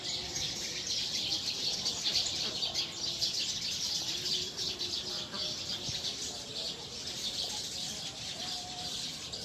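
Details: Eurasian tree sparrows at their roosting tree, wild birds producing a thick, continuous high-pitched chirping chatter from many individuals, evenly loud throughout with a few faint lower notes beneath.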